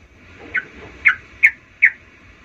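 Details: Sooty-headed bulbul lure to provoke rival birds: four short, slightly husky chirps spaced about half a second apart over a steady background hiss.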